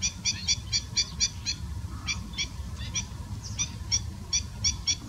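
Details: Collared pratincole calls: short, sharp, harsh chirping notes repeated in quick irregular series, with low rumbling background noise throughout.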